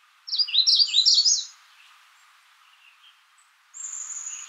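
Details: Magnolia warbler phrase of about five quick, sweet down-slurred notes lasting just over a second, followed after a pause by a thin, high, level whistle from another bird.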